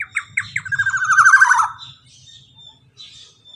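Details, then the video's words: Black-naped oriole male (kepodang) with a long ropel used to coax a silent bird into singing: three clipped opening notes, then a fast, harsh, rattling roll that builds and stops, followed by soft faint twitters over a low hum. "KEPODANG ROPEEELL PANJANG"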